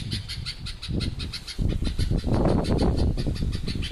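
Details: An unidentified noisy bird gives loud, rapid, harsh calls, about four per second, with deep throbbing pulses beneath bright ringing overtones, growing louder midway.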